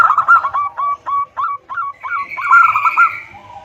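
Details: Female local zebra dove calling to the male: a rapid series of about eight short, throaty cooing notes, each dipping slightly in pitch, ending in a longer rolling trill and a lower closing note.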